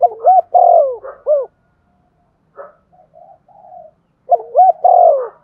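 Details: Spotted dove cooing to encourage a decoy bird to sing: one full phrase of hooked notes and a long falling coo, a quiet stretch with soft low murmurs, then another phrase begins.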